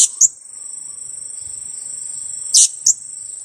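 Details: A two-week-old blue-crowned hanging parrot, used as a lure bird, calls a shrill kiak at the start and a sharp double kiak near the end, with a persistent high insect drone behind.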